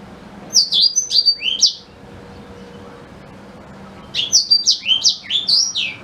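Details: Black-throated canary, singing as a model for a white-rumped shama: a short phrase of four high sweeping notes, a two-second pause, then a longer rapid run of slurred whistles.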